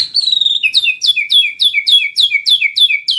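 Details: Murai batu lure song: one bright two-part phrase, a high whistle dropping to a lower note, repeated about ten times in quick, even succession.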